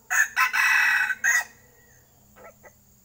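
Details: Loud red junglefowl crow recorded while luring wild junglefowl: a harsh, strained call in three or four choppy bursts over about a second and a quarter, then quiet with two soft clucks and a thin high insect tone.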